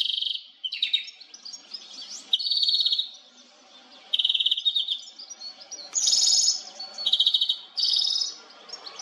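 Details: European goldfinch (Carduelis carduelis) recorded with a Nikon Coolpix P1000: a fast, tinkling song of bright twittering phrases and buzzy trills high in pitch, bursts separated by short pauses, over a faint background hum.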